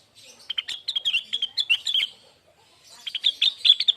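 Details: Lesser green leafbird lure song meant to prompt other birds into song: a fast string of sharp, high chirps and twitters, then a brief pause and a second, denser chattering burst.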